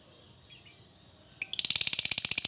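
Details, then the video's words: Long ngekek chatter of a lovebird used as a lure: quiet at first, then a sudden fast rattle of shrill high chirps, about ten per second. "suara burung Lovebird Ngekek Panjang terampuh buat pancingan Lovebird agar cepat bunyi"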